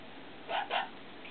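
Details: A 6-year-old male blue-headed pionus parrot, irritated by a new camera tripod while prompted to do tricks for almond treats, gives two quick, harsh squawking notes in a row, each lasting a fraction of a second, against faint room hiss.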